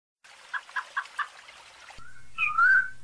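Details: Rufous-bellied thrush (sabiá-laranjeira) singing in the piedade song style, used for training young birds: four soft repeated low notes over hiss, then clear rising and falling whistled phrases above a steady low hum.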